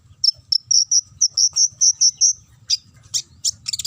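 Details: Konin sunbird lure song, ngobra style, meant to trigger singing: a steady series of about ten clear high whistled notes, then a few scratchy chirps and a quick flurry at the end.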